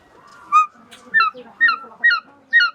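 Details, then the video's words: A hawk gives five short, ringing, slightly down-slurred squeals about every half second, against a quiet background. "The sound of a hawk"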